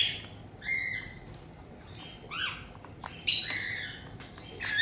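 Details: Pet white-bellied caiques in Tokachi, Hokkaido, Japan, 18 June 2023, where a resident pair welcomes a newly arrived young bird just over two months old; shrill squawks and short whistled calls, some rising and falling, scattered across a quiet room.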